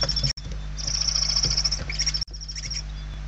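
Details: Hungry barn owl young in a Spanish nest, November 2023, giving a long hoarse pulsed hiss followed by weaker rasps, broken by two short audio dropouts, with low hum beneath.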